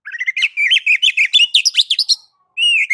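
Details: Ngeplong master song of an oriental magpie-robin, meant to provoke another bird to sing: rapid chattering and whistled notes in a dense burst, a brief pause, then a new whistled phrase.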